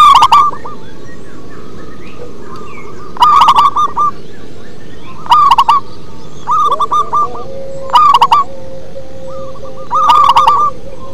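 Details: Local zebra dove singing in the deep 'ngebas' bass style: short bursts of stuttered, trilling coos repeated about every two to three seconds, with a softer answering coo between phrases and sharp clicking noises at each burst.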